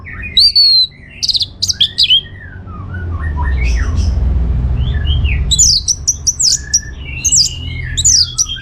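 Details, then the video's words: Orange-headed thrush singing gacor-style as a lure for answering birds: fast sequences of whistled and sweeping notes, a mid-clip run of lower slurred phrases, then dense high twitters, against low humming noise. "Putar Kicauan ANIS MERAH Gacor Ini dijamin Pasti Ikut Nyaut"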